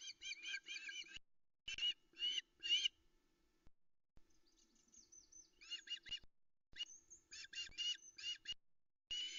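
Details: At a Loch Arkaig osprey nest, Scotland, in misty early light around 05:22 on 13 August 2020, a female waiting for a fish delivery as males arrive gives bursts of sharp whistled chirps in quick runs, pausing between series, over a faint low hum.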